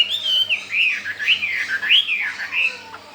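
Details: Caged Chinese hwamei, a wild-caught bird only four days after arrival, already keen to breed and singing well. Its clear slurred whistles rise and fall in looping waves, with a brief pause near the end.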